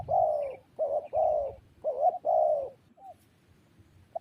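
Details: Spotted dove giving a series of five low, hoarse cooing notes in quick succession over two and a half seconds, each slightly falling, followed by a short soft note and quiet background.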